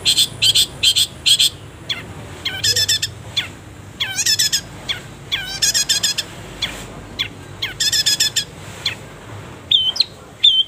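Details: Long-tailed shrike song for training birds, full of pauses: rapid bursts of harsh, buzzy stacked notes in groups of three to five, alternating with squeaky slurred calls and brief high whistles, loud and busy throughout.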